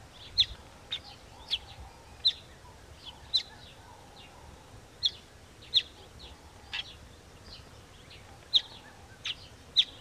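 Southern masked weaver giving short, sharp, high chips at an uneven pace, roughly one or two a second, over a soft background hiss.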